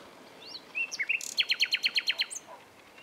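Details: Common nightingale among bushes, 27 April 2021: a few separate whistled and slurred notes, a short buzzy burst, then a steady run of about ten loud, sharp repeated notes, with distant chirping afterward.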